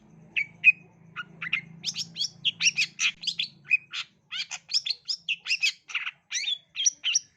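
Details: Long-tailed shrike song played to prompt young shrikes to sing, a steady stream of quick harsh chips and whistled notes, about three per second, growing busier, with a low hum early on.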